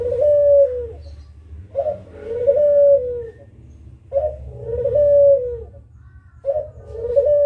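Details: Kugeruk calling, used as a lure for other birds: three deep cooing phrases, each a brief husky lead-in and a drawn-out level hoot, repeated about every two and a half seconds over a faint low hum.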